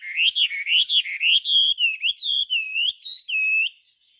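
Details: Chinese hwamei in lively song: a fast run of loud, looping whistled notes sweeping up and down, phrases linked smoothly, ending in a held wavering whistle.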